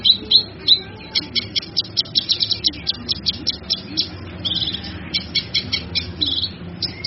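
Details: Cucak kinoi, recorded as a master song for other songbirds: rapid, buzzy high chirping notes in uneven clusters, loud at the start and continuing through, over soft background hum.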